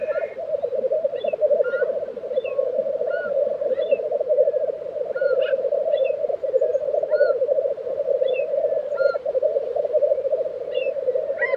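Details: Unbroken rolling, cooing bubbling of many black grouse at a spring lek in Tiveden, Sweden, April, with short whistled notes from other birds scattered over it every second or so.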